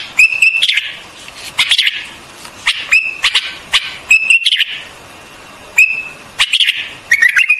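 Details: White-eared bulbul giving short whistled notes, each followed by a quick cluster of sharp clicks, repeated about every second with brief gaps.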